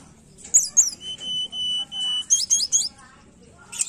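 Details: Tledekan song used as a lure for a bird that will not sing: bursts of high chirps framing long, steady, pure whistled notes held for about a second each, then more chirping.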